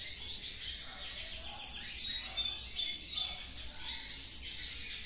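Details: Captive Hooded Siskins kept in cages around a house sing a continuous, high, rapid twittering with thin whistles and buzzy trills, several birds overlapping without pause.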